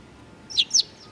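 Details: Eurasian tree sparrow among young birds filmed on 19 June 2019, giving a loud double chirp, two bright high notes a fraction of a second apart, against faint background noise.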